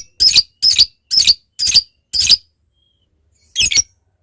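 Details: Lovebird calling to lure a rival: five harsh, rasping squawks about half a second apart, then a pause of over a second and a single final squawk.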